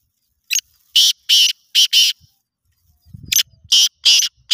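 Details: Black francolin (kala teetar) in a voice competition, giving its chakri call: two harsh, buzzy, grating phrases of about five clipped bursts each, separated by a short gap with faint low rumbling between them.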